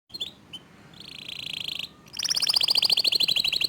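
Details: Local canary singing in the fast, tight 'tembakan' style: two short high chirps, a sustained buzzy note, then a rapid, evenly pulsed high trill of about eleven notes per second.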